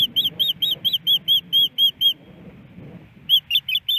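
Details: On a Missoula, Montana osprey nest, April 28, 2019, a female waits for her absent mate to bring fish: a string of high whistled chirps, a pause of about a second, then more piping notes, over low background rumble.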